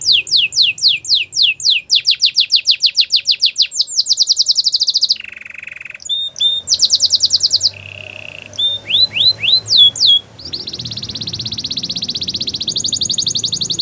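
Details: Singing Belgian canary delivering fast repeated upslurred whistles and quick trills, a short lower rattle, scattered single notes, then a long, even, high buzzing roll over faint low background hum.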